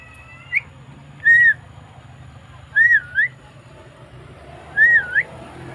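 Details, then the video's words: Javan myna recorded on 20 May 2024. It gives loud, slurred whistles, each a looping down-up phrase, repeated roughly every one and a half to two seconds, sometimes doubled. There is a soft low hum in the background. "Suara Burung Jalak Kebo"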